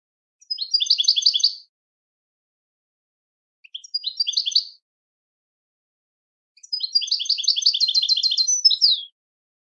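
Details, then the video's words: European goldfinch singing a training pattern meant as song without mistakes: three separate bursts of quick, high, tinkling trills, the last the longest and finishing with a downslurred note, separated by silent pauses. "goldfinch singing training your goldfinch to sing on command"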